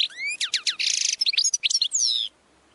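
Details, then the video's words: Goldfinch training song: rising upward-swept whistles, then a dense buzzy burst and a quick string of bright, twittering notes, ending in a drawn-out, wavering whistle. "90 Minutes of Goldfinch Singing"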